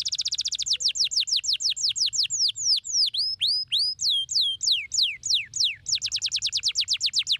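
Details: Canary song meant to stimulate lazy canaries into singing: a fast run of high, downward-sweeping notes gives way to looping, swooping whistled phrases, then returns to a rapid, even trill of sliding notes, with only faint low hum behind.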